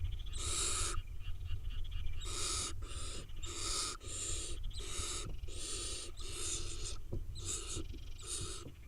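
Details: Wild barn owl nestlings, eight of them, in Israel, give harsh, rasping hiss-like bursts, each about half a second long, repeated almost without pause, over a steady low rumble.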